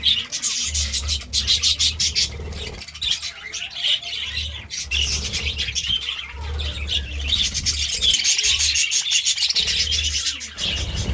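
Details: Budgerigars chirping in the morning: a loud, steady stream of fast, scratchy chirps and chatter, with some quieter gaps, over a pulsing low hum.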